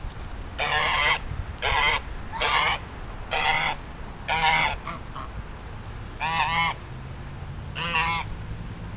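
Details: Duck or goose making a strange, donkey-like noise: harsh, nasal honks rich in harmonics, a run of six roughly every second, then two more after a short pause, over a low steady background rumble.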